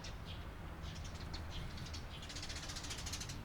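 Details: Eurasian tree sparrow chirping on 28 April 2022: scattered short chirps early on, building into a dense run of rapid chattering notes in the second half, with low background rumble underneath.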